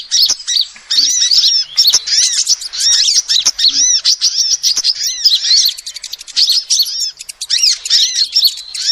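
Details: Continuous high-pitched chattering from a female sunbird, used as a lure: hurried, overlapping chirps and bent, slurred whistles with occasional brief dips in volume.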